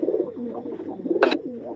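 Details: Rajshahi Girabaz pigeons at a Bangladeshi pigeon farm giving low, rolling coos in a small indoor space, with a sharp brief clatter midway, perhaps wings or a perch knock.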